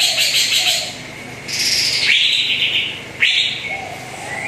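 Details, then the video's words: Greater green leafbird singing on a lure track meant to prompt a quiet bird: buzzy high chatter broken by loud, sharply upslurred sweeping whistles that fall away, with a soft lower whistle between them. "PANCINGAN CUCAK IJO ANDA YANG JARANG BUNYI"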